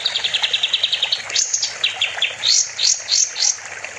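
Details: Sooty-headed bulbul singing in a master recording for songbird training: a fast chirping trill, then a run of loud, high, upward-sweeping whistles in separate bursts.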